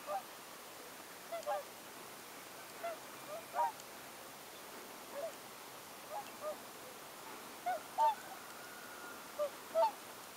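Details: Scattered honking calls from a mixed wintering flock in Oltenia, Romania, November 2014, made up of roughly 80 tundra swans and 40 whooper swans. Single or paired short honks sound every second or two over a constant rushing background.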